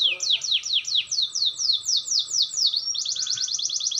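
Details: Canary practising its roll with a clear voice: a run of descending swept notes about three per second, then a quick even trill of short repeated notes to the end.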